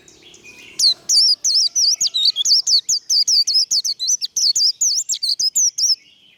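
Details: Warbling white-eye in the 'líu đấu' fighting song style, sung to fire up birds in training: about twenty sharp, wavy, high whistled notes run together rapidly for roughly five seconds without pause.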